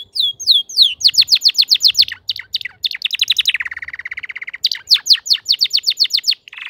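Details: A crested canary in fine form delivers rapid chains of sharp downward sweeps, a low buzzy churring roll for about a second, then more fast sweeping notes and a closing buzz.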